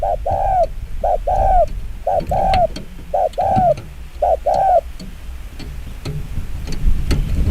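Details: Spotted dove's fast 'chiêu gù kích bổi' cooing: four paired short-and-long coos in the first five seconds, then only low background noise and clicks.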